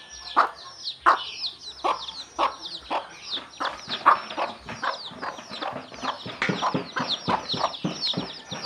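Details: Steady 'kuk kuk' clucking from a mother hen summoning chicks to eat, clucks coming in quick succession, while a dense flock of chicks keeps up thin, downslurred peeping throughout.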